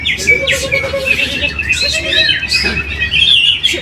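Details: A caged greater green leafbird performs at a weekly practice competition in Trowulan, Mojokerto, where it won first. It sings high, sliding whistles and rapid chatter in fast succession over steady crowd murmur and other birds.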